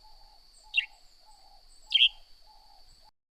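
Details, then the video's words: Northern grey-headed sparrow: two quick, high chirps dropping in pitch, about a second apart, the second louder, with a continuous thin whine and soft low tones behind. "Northern Grey-Headed Sparrow Serenade"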